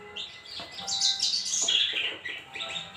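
A Javan bush lark gives bright, scratchy chirps and twittering phrases, high-pitched and busy, over a faint steady background hum.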